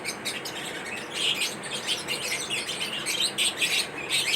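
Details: Lovebirds chirping during their daily routine: dense, continuous high-pitched chatter of many overlapping short chirps and squeaks, with no pauses.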